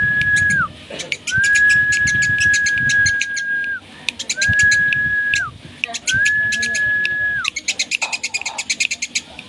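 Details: Eurasian tree sparrow in lively voice, the chattering style called cetrekan: rapid runs of dry, clicking chirps repeated in bursts, over a long steady whistled tone that repeatedly drops in pitch at its end, with low background rumble.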